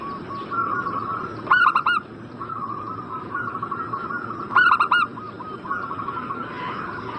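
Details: Zebra dove lure call for a bird in breeding condition: a loud rolling phrase of three to four coos, repeated roughly every three seconds, with continuous softer cooing from other doves and background hiss.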